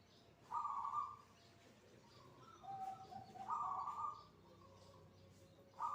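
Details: Perkutut zebra dove cooing near the dzuhur call to prayer: two loud bursts of rolling coo about three seconds apart, quieter lower notes between them, and background hum with faint noise.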